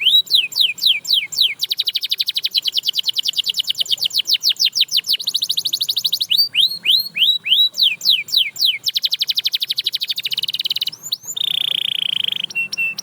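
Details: Canary singing so that other canaries will start to sing again, mixing swooping whistled notes with long fast rattling trills, rolling runs and a sustained high tone near the end, all loud and continuous.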